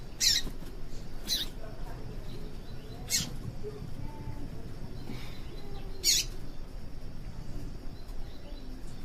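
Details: Female yellow-bellied seedeater chipping to stimulate males to sing: four short, high, sharp notes at uneven intervals, the last after a longer pause, with low background rumble.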